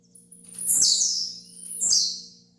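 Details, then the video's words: Training song of a blue-black grassquit (tiziu): two high, hissing, downward-sliding buzzes about a second apart, with a soft click under each and a low background hum. "TREINE SEU TIZIU AGORA MESMO"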